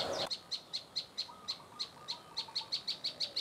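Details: Prenjak lumut, a prinia, repeating crisp, high, clipped notes in a fast, even series of about five per second, with a short low rustle at the start.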